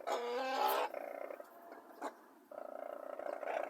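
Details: Brolgas at Longreach, Queensland, Australia: a loud, harsh, harmonic-rich trumpeting call for under a second, then a softer, rapidly pulsed, purring run of notes, a pause, and another buzzy pulsed series.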